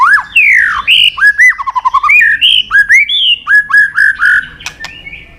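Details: White-rumped shama singing loudly with many varied mimicked fill-ins: sweeping whistled slurs, a fast descending run of short notes, then repeated rising and falling whistles delivered in quick succession.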